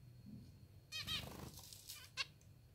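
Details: A hungry pet zebra finch being hand-fed utters rapid nasal, harmonic begging calls, then one sharp call a second later, mixed with loud rustling and feeding noise.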